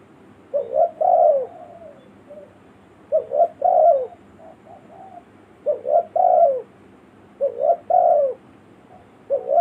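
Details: Lure recording of a spotted dove in the village style for calling wild birds: soft repeated phrases of a brief doubled note and a sustained falling coo, about every two and a half seconds.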